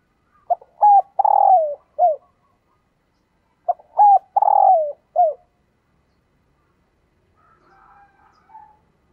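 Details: Female dove calling to attract males: two bouts of low, hollow coos about three seconds apart. Each bout has short clipped notes, then a longer, rough, drawn-out coo that slides downward, then a final brief coo. Faint soft sounds follow.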